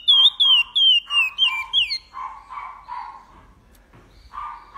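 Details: Chestnut-bellied seed finch (curió) in Paracambi-style song with repetition, a quick series of bright, sliding whistles for two seconds, then stopping while a dog barks repeatedly in the background.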